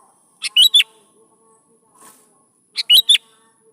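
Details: A sooty-headed bulbul's song, used to coax young bulbuls to answer: two brief bubbly phrases of quick rising and falling notes, a couple of seconds apart, over a quiet background hum.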